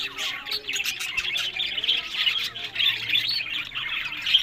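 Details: Several caged pet budgerigars at a breeding setup in Larkana, Sindh give a steady stream of overlapping squeaky chirps and warbled twitters, busy and high-pitched, with no clear pauses.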